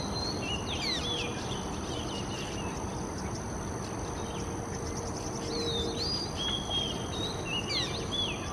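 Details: Oriental magpie-robin singing in Singapore, each individual said to sing its own tune: scattered whistled phrases with rising and falling slurs, against steady insect hum and low traffic-like rumble.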